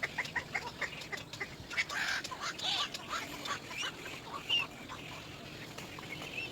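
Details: Little egret (Egretta garzetta), begging call: chick calling for its parent.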